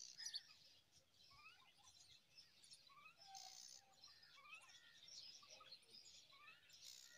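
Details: Five myna chicks being fed date fruit by a parent give a steady hissing rasp, with scattered short, bright chirps and squeaks rising and falling; faint rural background noise throughout.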